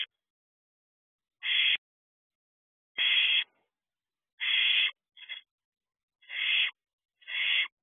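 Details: Barn owl owlets showing affection by allopreening inside a nest box at 12:49 am on June 9, 2023; loud breathy rasping hisses, each roughly half a second long, spaced one to one and a half seconds apart, one faint short rasp between.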